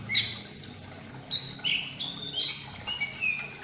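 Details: Juvenile Chestnut-capped thrush in captivity, Malang, beginning ngeplong singing; gives irregular high whistled slurs, rising and falling, over faint low background noise.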